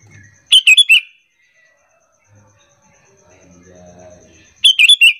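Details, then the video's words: Lure call of the sooty-headed bulbul, meant to get other bulbuls singing in reply. A fast four-note chirped phrase opens, then a long pause with a faint low murmur, then the same phrase again. "Pancingan Kutilang biar bunyi gacor sahut sahutan"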